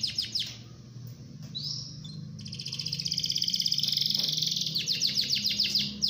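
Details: Canary singing in the rolling ngerol style used as master song for training other canaries: high trills, then a long rapid buzzy roll, breaking into quick descending sweeping notes repeated rhythmically, with a low hum underneath.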